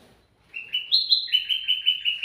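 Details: Sooty-headed bulbul song offered as a lure for other birds: clear whistled notes starting near 2.5k, stepping up then settling into a steady, rapidly pulsing warble at a single pitch, loud and clean in a quiet setting.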